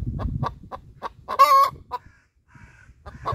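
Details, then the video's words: A hen's laying song, with a series of short rhythmic clucks building to one loud harsh squawk, then quieter clucks and a faint higher call. "Inyue victory hen laying song"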